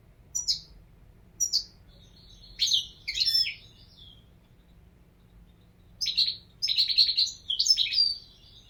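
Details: Goldfinch song in separate short bursts: several crisp, high chip notes spaced about a second apart, a pause, then a denser series of liquid, twittering phrases.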